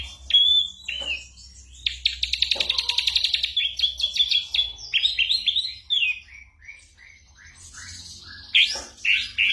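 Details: Ashy drongo, a mimic of other birds and gunshot sounds, used to train songbirds; sharp whistled slurs, a rapid even rattle, then a varied run of downslurred whistles and chirps with occasional loud clicks.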